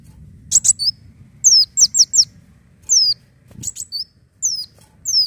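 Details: Leafbird lure song: loud, sharp, high whistles that slur steeply downward, delivered in quick clusters of two or three with brief clicky bursts between, over a quiet low hum.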